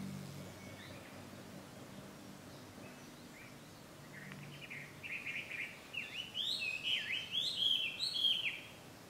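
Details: Chinese hwamei at Ikimono Fureai no Sato, recorded 5 June 2020 as ambient sound: a quiet, hushed start with faint notes, then from the middle a rising series of loud, varied whistled phrases with rapid slurs.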